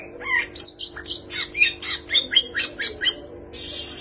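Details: A greater green leafbird singing a medley that copies kapas tembak and cililin, here a quieter run of varied chattering notes, some slurred up, others clipped, spaced a little unevenly over a few seconds.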